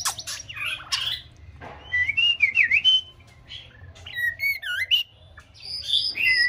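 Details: A white-rumped shama aged six months tries out its song: noisy chattering notes, then sets of wavering V-shaped whistles and high sweeping phrases, repeated quickly with pauses, and a soft low hum throughout.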